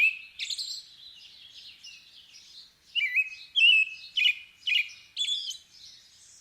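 A robin sings thin, high, sweet phrases, each a quick tumble of varied warbled notes, with short pauses between phrases. No other sounds intrude.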